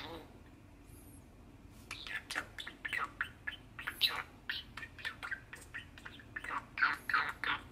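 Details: Six-year-old male pet budgerigar perched on its owner's hand at a kitchen sink, singing and shouting, recorded indoors on 30 March 2021; rapid, irregular chattering warble of harsh bursts and squeaks, about three per second, over faint background hum.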